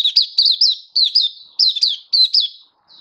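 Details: Caged oriental white-eye giving open display song, 24 February 2023: four short phrases of two to three bright, quick, downslurred chirps, repeated about every half second.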